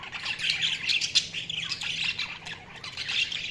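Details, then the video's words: Budgerigars chirping: a continuous scratchy chatter of warbled and squawky notes, with a few louder sharp chirps standing out. "Budgies Chirping sound"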